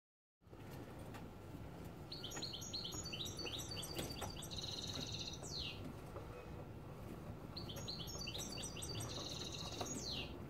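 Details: Parva x Timbrado cross canary singing a tutoring song for teaching young canaries, Tadmaït, 2016. Two bright phrases of rapid high trills and chattering notes, each ending in a sweeping note, over a loud, hissing, rumbling background.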